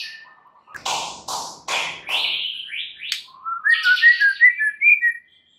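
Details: Lure song of a white-rumped shama, meant to make a shama sing its full repertoire: harsh broadband notes and upward sweeps, then a run of quick, rising, liquid whistled notes.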